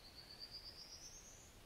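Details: A Prairie Warbler perched singing in one spot overhead: a quick run of thin, buzzy notes climbing steadily up the scale over about a second and a half, against a faint outdoor hiss.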